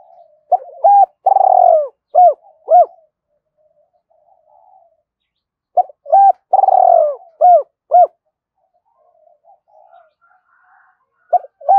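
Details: Spotted dove calls used to rouse caged decoy doves: two matching phrases about five seconds apart, each a quick coo, a drawn-out purring coo and two or three short dropping notes, with faint soft coos in the gaps.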